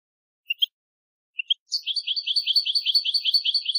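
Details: European goldfinch of a mutation variety giving two paired call notes, then breaking into a steady, rapid twittering phrase of high repeated notes.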